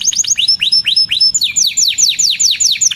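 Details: Canary singing with clear downward-sweeping whistles, slower at first and then quicker, each note dropping sharply in pitch in a regular series.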